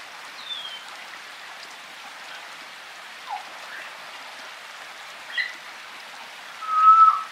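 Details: A wild African grey parrot in forest gives a few scattered whistles, a falling one, short mid notes and a clear level whistle at the end, over steady rain.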